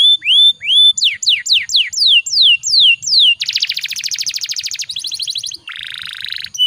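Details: Canary singing a long rolling lure song for training other canaries: two rising whistles, a run of quick descending sweeps, then extended fast trills and a lower buzzy rattle.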